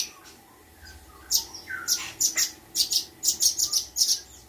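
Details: Spotted blue-winged leafbird kept captive and in training gives a burst of sharp, high clicking chirps about twice a second after a quiet start, with one lower slurred note.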